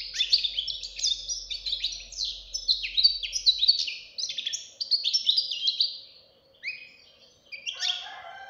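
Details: Young European goldfinch fledgling singing with strength; rapid tumbling twittering of high metallic notes and buzzy trills, steady for six seconds, a short pause, then a brief final burst.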